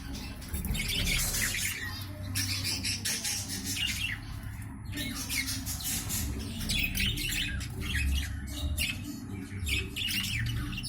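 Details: Egg-laying budgerigars chatter with rapid, scratchy squawks and warbling chirps over a steady low hum.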